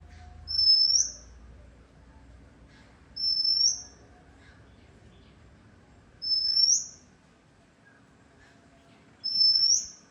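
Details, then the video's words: Oriental magpie-robin song: a clear, high whistled note that sweeps upward at its end, given four times at steady intervals of about three seconds, with quiet background between phrases. "വണ്ണാത്തിയുടെ പാട്ട്"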